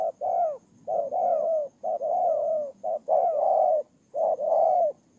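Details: Ground decoy spotted dove in Tumorong, Kon Tum province, Vietnam, 23 September 2018, calling repeatedly with paired coos, a short note then a long, slightly dropping one, roughly one phrase per second.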